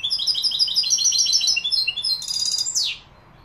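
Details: Goldfinch singing in the Málaga copy style, Morocco: a rapid string of high liquid twittering notes, then a dense buzzy cluster and a sharp downward-sweeping note before silence.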